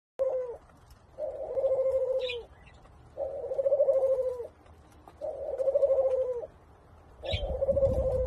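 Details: Senegal dove and ringneck dove hybrid, possibly second generation, kept in Thailand, cooing in courtship: long purring, rolling coos, each about a second, repeated four times with short pauses, plus brief faint chirps from other birds.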